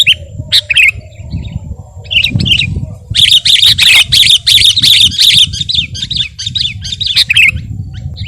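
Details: Sooty-headed bulbul in gacor voice for tutoring and provoking caged birds: scattered short whistles, then a loud, rapid cluster of bright repeated notes, fading back to sparse calls over a rumbling low background.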